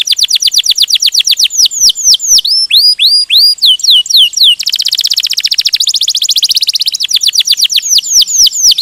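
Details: Canary performing ngerol gacor song: cascades of downward whistled sweeps and rising slurs, a dense buzzy rolling trill in the middle, then more swooping whistles.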